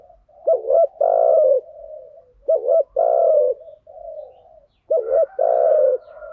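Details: Spotted dove lure song, "thúc gù" and "gáy gọi" styles, for training birds: three phrases of a sharp two-note coo then a drawn-out full coo, roughly every two seconds, with faint murmurs between.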